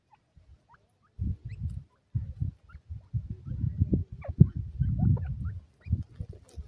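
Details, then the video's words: Playing baby pheasants raised for profit: brief rising chirps scattered throughout, partly buried under loud, irregular low thuds and scuffling from the birds moving about. "baby pheasant bird playing"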